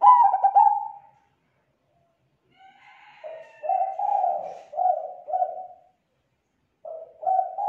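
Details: Lure-calling zebra dove, used to draw in others of its kind, giving clear, full coos in bouts: a stuttered phrase, a pause, then a series of short rounded notes in quick succession, and another phrase at the end.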